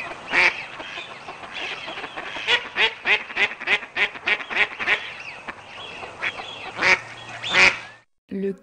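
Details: Mallard (Anas platyrhynchos) quacking in a rapid series of about a dozen harsh, nasal quacks over eight seconds, then a brief spoken word.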